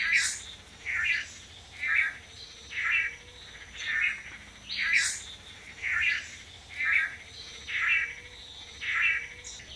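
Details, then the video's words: Male Long-tailed Manakins in Costa Rica, displaying in pairs at a lek in front of a female during courtship; nasal buzzy notes repeat steadily about once a second, ten in a row, with faint higher chirps in the background. "The Amazing Long-tailed Manakin Courtship Display"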